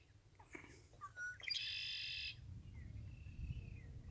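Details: Red-winged blackbird song: a few scattered chipping and whistled notes lead into one loud, harsh buzzing trill lasting nearly a second. Faint thin whistles and low background rumble follow.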